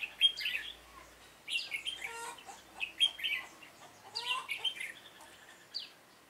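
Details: Red-whiskered bulbul decoy song from trapping on 7 September 2018. Short groups of bright whistled and chirped notes, with a clear phrase near the start and two more bursts after brief gaps.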